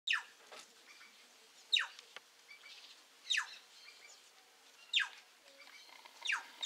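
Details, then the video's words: A flock of plush-crested jays calling: loud, sharp notes sweeping steeply downward, repeated roughly every one and a half seconds, with fainter chatter from other flock members and a steady low hum beneath. "Bando de Gralha canção"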